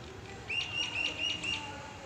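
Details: A myna sings in the evening, when the birds fly in flocks, giving a quick run of five bright, slightly rising chirps, about four a second, over a soft background hiss.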